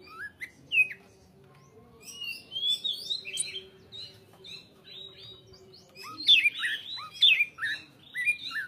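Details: Greater green leafbird song, rich and varied: scattered whistled slurs and chips, a softer middle section, then loud sharp downward-swept whistles and twittering notes bunched toward the end over a faint low hum.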